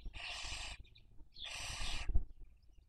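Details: Barn owl at a nest webcam in Cabañeros National Park, Castilla-La Mancha, Spain, during the 2023 breeding season while raising young: two harsh, broadband hissing screeches, each lasting under a second, separated by a short gap, with low rumbling background.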